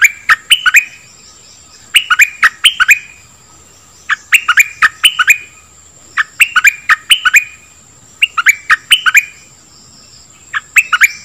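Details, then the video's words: Dok taeng bird, song used to train young birds and make them lively: brisk groups of three or four chirped, slurred notes repeated about every two seconds, quiet gaps between, a steady high-pitched background tone. "เสียงนกดอกแตงEp.2 ใช้หัดลูกนก เปิดให้นกคึก!!"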